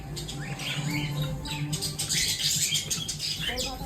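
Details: Budgerigars at play time chatter in quick, scratchy chirps and warbles over a low background hum.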